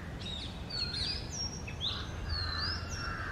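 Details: Early-morning song of Oriental magpie-robins, a male and female, in the summer breeding season: clear sustained whistles and quick upward sweeps, several notes per second, over a rough low background noise.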